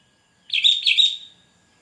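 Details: Sooty-headed bulbul calling to lure wild birds and rivals, one short, bright phrase of two quick slurred, bubbling notes, clean and close with a quiet background.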